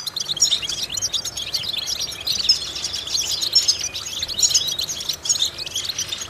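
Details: European goldfinch song used as a vocal exercise to stimulate goldfinches: dense, rapid twittering of high, liquid chirps and short trills, continuous throughout with slight swells in loudness, over faint background noise.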